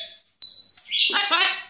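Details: Trained pet blue-and-yellow macaw named Jago saying 'High Five' while lifting his foot: a brief high whistle, then a harsh, raspy, speech-like utterance lasting under a second.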